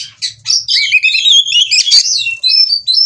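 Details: Oriental magpie-robin in breeding condition performing ngobra, Cirebon, Indonesia; short burst of fast trilled warbling and rippling notes, then clear sustained high whistles near the end, with a soft low hum.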